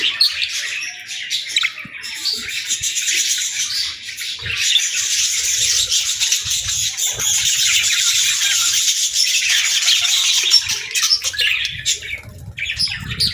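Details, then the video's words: Budgerigars chattering in a long, steady, scratchy warble of high squeaks and chirps, louder through the middle and fading toward the end. "Budgie Singing & Chirping Sounds | Relaxing & Happy Parakeet Sounds"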